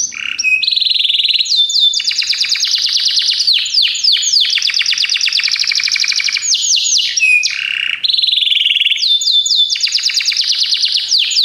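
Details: Canto de canário belga used as training: continuous loud varied song of fast rolling trills, downslurred whistles and buzzy rattles, with brief shifts between phrases.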